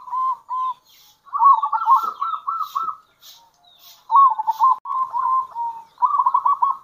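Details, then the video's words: Cooing of a local zebra dove in kerot and bekur styles, used to lure other doves: short rolling coo phrases of fast beaded notes, with brief pauses between bursts and no other sounds. "Panggilan Perkutut Lokal !! Perkutut Lokal Kerot Gacor Dan Bekur Ampuh Untuk Pancingan Perkutut"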